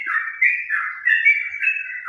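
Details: Caged yellow-vented bulbul (trucukan) singing a ropel-style song at about eleven in the morning under cloudy skies: a continuous run of clear whistled, slurred notes wavering up and down with no pauses.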